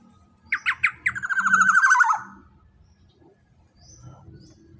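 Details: Large-bodied Black-naped oriole with a loud voice, used as a lure and tutor for captive songbirds: three sharp, ringing notes, then a nasal, buzzy series of about ten quick notes that drift downward, followed by a faint low hum.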